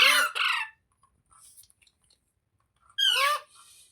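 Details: A green parrot, said to be talking, lets out two loud harsh squawks at the start, falls quiet with faint rustling, then gives a strong descending screech about three seconds in.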